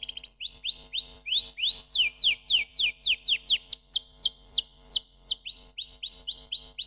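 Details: Canary song made of clear rising whistled notes repeated several times a second, shifting into a run of falling slurs and returning to upswept notes, loud and continuous throughout.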